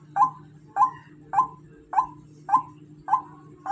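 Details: Female white-breasted waterhen calling with a run of clipped, strident notes, each with a brief upward flick, about one every half second, against a constant low background hum.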